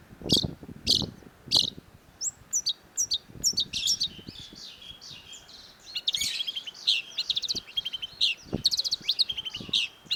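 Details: Long-tailed shrike (cendet) in a busy, varied song: sharp, harsh notes followed by rapid chattering and rattling trills with many quick, high phrases.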